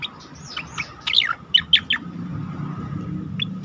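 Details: Asian pied starling training song for competition birds: a cluster of slurred whistles and sharp falling notes in the middle, then a single high chip over a low background hum.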